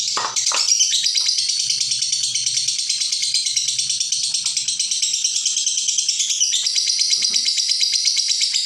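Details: Lovebird in long unbroken chatter, a recording meant for tutoring other birds: dense, rapid, high-pitched rattling trill held almost without pause, a brief lower click near the start and a soft change of texture after six seconds.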